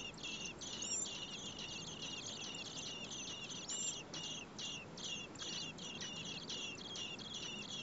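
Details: Four Common blackbird nestlings in a nest, fed by both parents in heat over 30 °C, make a steady run of thin, high, chittering begging notes, several each second, over a faint background hiss.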